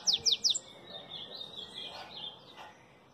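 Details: Pet bananaquit, a Belgian-line bird, singing: three quick high descending notes open the phrase, then softer thin buzzy twittering fades out over the remaining seconds.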